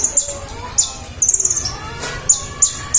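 Olive-backed Sunbird giving thin, very high chips, single or in quick bursts of five or six, spaced irregularly about half a second apart; faint background hiss.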